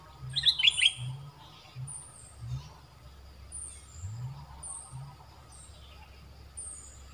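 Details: Red-whiskered bulbul used as a decoy to lure wild birds, just after moulting: one short loud burst of quick warbled chirps near the start, then faint high ticking notes repeating and a steady low rumble behind.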